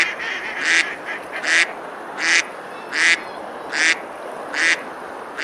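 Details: Ducks quacking as they eat and splash on a river at Besalú in Girona, Spain, on a summer day; harsh quacks come about every 0.8 seconds, with softer, shorter calls mixed in at the start.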